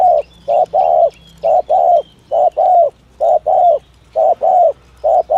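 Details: Lure recording of a spotted dove's 'thổ thúc gù' call: paired low coos, brief then longer, repeated in an even rhythm about five times, with faint high bird chirps in the background.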